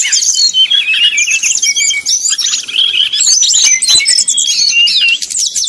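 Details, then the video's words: Brown-chested jungle flycatcher singing 'nyuling', a lure to make rivals sing: an unbroken torrent of shrill whistles, twitters and looping slurred notes at steady high volume. "srdc nyuling bikin lawan jadi panas penuh emosi"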